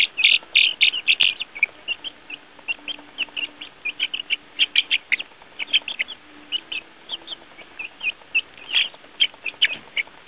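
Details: Baby chicks outside for the first time, with earthworms, giving clear, separate high peeps in loose clusters, a few per second, over a quiet background.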